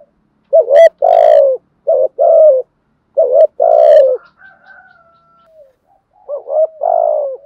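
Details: Spotted dove calling in the thúc and gù styles: three two-note coos, a brief wavering note leading into a long hoarse falling coo, with soft clicks and a faint whistle between.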